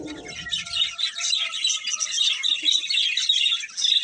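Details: Budgerigar pair keeping up a steady stream of bright, high chirps and warbled twitters, with a short low rumble at the very start.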